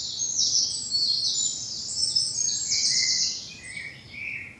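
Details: Early morning spring birdsong in a bluebell wood in southern England; dense high-pitched chattering and trilling phrases run almost continuously, with a few lower whistled notes near the end.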